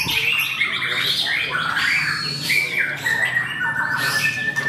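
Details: White-rumped shama singing at a songbird contest at Mahendra Arena, where it placed on the podium: rich, fast, varied whistles and chattering phrases, ending in a long level whistle, with other songbirds overlapping in a busy background.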